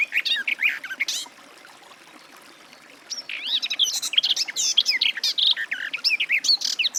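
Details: Garden warbler (Sylvia borin) singing: a fast, rich warbling phrase of mixed chirps, a silent gap of about two seconds, then a longer run of varied, scratchy and sweet notes.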